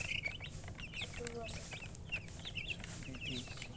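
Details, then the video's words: A hen with chickens: soft, scattered high peeps and chirps overlap at a low level. Faint lower notes and a steady background rumble sit underneath. "silly chicken chirping sounds"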